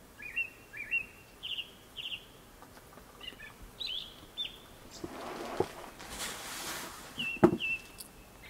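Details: Japanese thrush song before sunset: repeated rising whistled phrases and a few high thin notes, then a passage of rushing noise and a sharp knock before the whistles resume.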